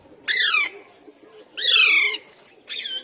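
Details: Indian ringneck parakeet kept as a talking pet, uttering three harsh, raspy squawks that slide downward, spaced roughly a second apart, over faint low background noise.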